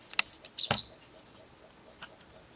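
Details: Garden-recorded Japanese wagtail giving its long shrill calling: two loud, piercing high notes close together, the second with a sharp clicky onset, then silence with one faint distant tick.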